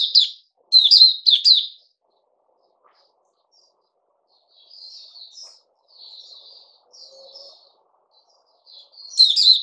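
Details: Puteh Raja bulbul on 08052021, fed fruit juice and a mealworm: three loud warbled notes open, then quiet softer twittering notes, ending with another loud bright phrase.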